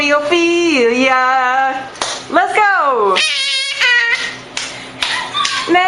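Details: Parrot talking indoors in a small room: speech-like phrases with rising and falling pitch, some squeaky and stretched, broken by brief pauses and sharp clicks.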